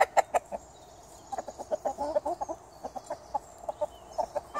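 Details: Garden hens produce loud clucks at the start, then a steady patter of softer clucks and a few longer, throaty notes, with light high birdsong behind.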